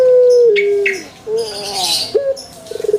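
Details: Pelung chicken crow, a drawn-out even note that slides lower and breaks off, then softer wavering notes, a brief sharp accent and a fast stuttering pulse at the close.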